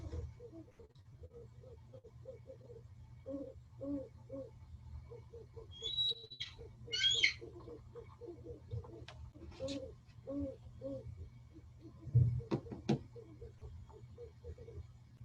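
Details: Great Horned Owls at Santa Monica Mountains, alternating and changing their calls for their mates, give deep, muffled hoots in quick repeated runs, with a few brief high chirps and clicks from other birds partway through.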